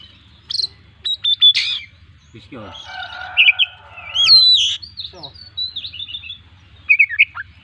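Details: Owned Oriental magpie-robin in loud 'full isian' song: crisp chirps, then a buzzy rattling passage, sweeping whistles and rapid twittered notes, ending with quick sharp chirps; steady low hum in the background.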